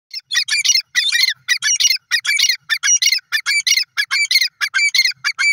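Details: Dakhni teetar, grey francolin, calling: rapid loud harsh squawking notes in dense bursts, repeated about one and a half times per second without pause.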